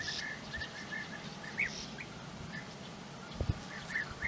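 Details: European bee-eaters near their burrows in the flat Puszta Eldorado landscape, giving soft rolling purring notes at irregular intervals, some overlapping, over a quiet outdoor background with an occasional low knock.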